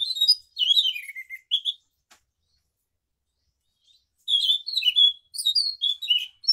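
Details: Scaly thrush (Zoothera dauma) singing in the morning: fast, varied phrases of high warbled and whistled notes in two bursts.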